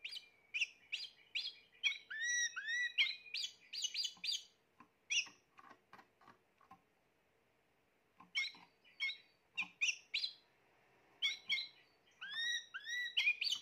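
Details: Spanish Timbrado canary, a bird from the 2020 season, singing in bursts of varied chirps, rising upswept notes and rapid trills, broken by pauses of a second or more.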